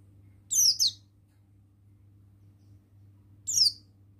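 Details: Male Oriental white-eye of the buxtoni form, a forest-style bird in full voice: two high, thin chirps sliding steeply downward, a quick double note followed three seconds later by a single one, over a low steady hum.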